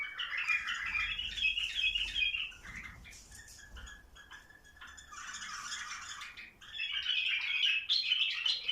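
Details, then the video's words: Mating-encouragement song of bulbuls: long bubbly phrases of whistles and chatter, a quieter spell midway, then strong whistled notes returning toward the end. "تحفيز البلابل ع تزاوج"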